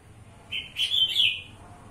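A black-capped bulbul gives one brief, bright whistled phrase of a few quick, slightly rising notes, lasting about a second against a quiet background.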